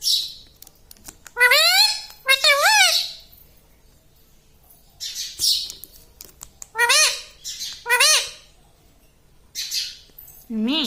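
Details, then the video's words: Talking pet parrot in a room, said to mimic the word "mummy"; voiced, rising-then-falling harmonic syllables in pairs around 2 seconds and again near 7 and 8 seconds, plus hissy noisy bursts and a low final note. "Talking Like a Human - Mummy Bolne Wala Tota - Talking Parrot"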